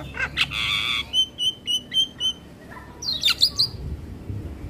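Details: Javan myna song in the morning, offered as a model for young birds: a harsh buzzy burst, then a row of short whistled notes, and finally a sharp squeaky rising phrase, with low background rumble.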